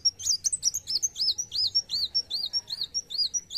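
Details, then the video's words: Lively narung-style song of a kolibri wulung sunbird: rapid chain of high arched whistles, about two to three per second, mixed with sharp ticking notes at the start. "Kolibri Wulung Gacor Narung"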